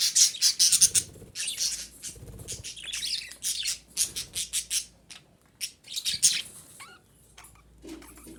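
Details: Female budgerigar chattering to encourage breeding: a steady stream of scratchy, high-pitched chirps and squeaks, several per second, thinning out toward the end.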